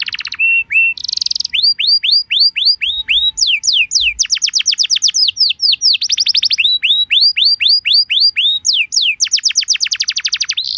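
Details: Canary lure song, played to prompt other canaries to answer, described as a luxurious song: rapid rolls of sharp downward-sweeping whistled notes about four a second, broken by short buzzy bursts and high chips, with no other sounds.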